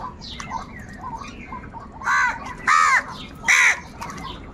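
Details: Angry crows fighting for food: three loud, harsh caws rising in intensity over the last half of the clip, after a stretch of busy twittering from smaller birds.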